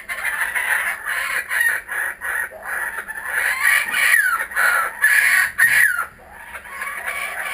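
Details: Kookaburras returned to a home garden, recorded with GoPro Hero 3D and Fujifilm W3 cameras: harsh, cackling notes in rapid rhythmic bursts, roughly two per second, rising and falling in loudness over a steady background hiss.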